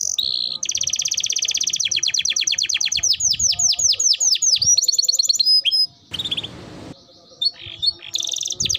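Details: Lively canary song used as a lure to make other canaries sing quickly: long rapid trills of repeated notes, then sweeping downslurred whistles, a short burst of noise, and renewed chirping at the close.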